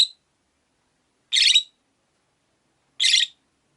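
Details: Rosy-faced lovebird kept in a windowside cage with four companions, giving harsh buzzy chirps at a steady pace roughly every one and a half seconds, three calls heard.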